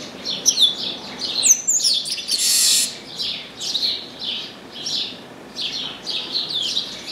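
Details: Chestnut-capped blackbird in an orange tree: crisp high chips, a long buzzy rasp, then rhythmic falling whistled phrases, roughly one a second.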